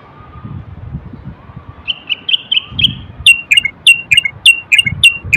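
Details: A Moroccan common bulbul male sings a song meant to stimulate males to sing and prepare females for mating. Slurred whistles build into a steady series of crisp, repeated notes about three per second, over faint low rumbling.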